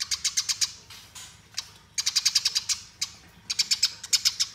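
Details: Eurasian tree sparrow giving fighting song as a master recording: clipped groups of five to eight shrill chirps, each burst fast and evenly spaced, alternating with brief quieter gaps and a few isolated chips.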